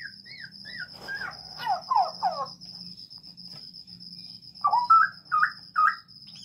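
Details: Straw-headed bulbul kept in a breeding aviary, singing a few soft whistled notes and then loud, bubbling, liquid warbles in two bursts, against a constant high thin buzz.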